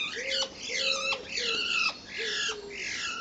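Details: Common starlings, a pair either mating or fighting, April 10th 2011, give loud raspy squawks with bright descending whistles. About four call bursts come in quick succession, each with a flat lower tone below.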